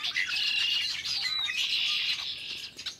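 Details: Early March 2010 recording of a big Red-winged Blackbird flock, birds calling and singing; a thick mass of high squeaks, trills and chips, with a few clear whistles rising above the din.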